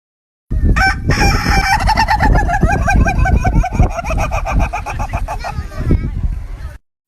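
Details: Domestic chicken giving a loud, harsh run of rapid clucking notes, about four per second, with wavering pitch over a strong low rumble of background noise, ending abruptly after roughly six seconds.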